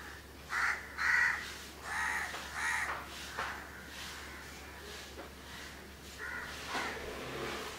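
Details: A pair of house crows grooming each other in Candolim, Goa, in December 2010, giving harsh, nasal caws, a few loud ones early then softer scattered calls, irregularly spaced over several seconds.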